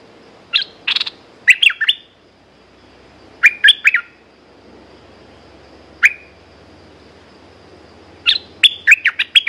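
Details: Caged red-whiskered bulbul singing in short bursts of bright, chirpy warbled notes, with quiet pauses between phrases and a faint steady hum in the background.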